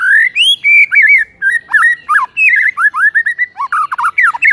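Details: White-rumped shama singing in the morning, used as masteran. A loud, continuous string of fluty whistles, rolling slurs and quick twisting phrases, with almost no gaps.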